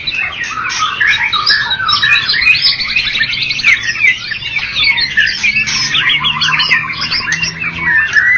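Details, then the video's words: Contest-winning white-rumped shama from Medan and Java: fast, trilling chatter layered with bright whistles, a continuous jumbled outpouring ending on a rising whistled note. "Murai batu Medan dan Jawa Juara Satu Pemenang Lomba Bird Copsychus malabaricus Suara Burung"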